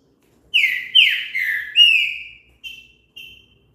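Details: Green-winged saltator delivers a clean song phrase of four strong whistles. They slur down, then rise slightly and hold, followed by two short, thin notes.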